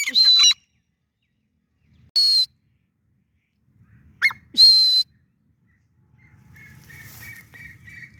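A francolin gives loud, harsh, ringing bursts, each about half a second and a couple of seconds apart. Fainter repeated whistled notes and low background rumble follow.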